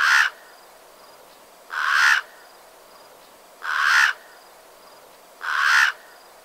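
A crow gives four harsh, hoarse caws, each about half a second long and spaced roughly every two seconds, with a quiet background.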